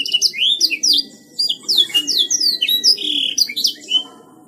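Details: Canary in lively gacor song: varied high whistles, rising and falling slurs and quick trilled phrases, with brief gaps between bursts. Faint low hum sits underneath.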